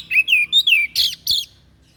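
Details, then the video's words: Short excerpt of a white-breasted bird's strange song, meant for song training: three or four sliding whistled notes, then two harsh buzzy bursts, then quiet. "SUARA ANEH SI DADA PUTIH"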